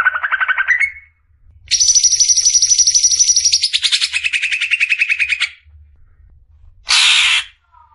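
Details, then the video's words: Clear besetan song of a greater green leafbird, meant as masteran for caged birds: a rising wavering whistle, then a long ringing high trill sliding lower into a pulsed rattle, and a final harsh burst. "Besetan suara burung CUCAK IJO"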